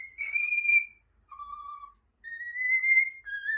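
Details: Over the Rainbow whistled by a pet cockatiel: a high sustained note, a lower steady tone after a gap, then a gently rising high note falling to a final shorter one.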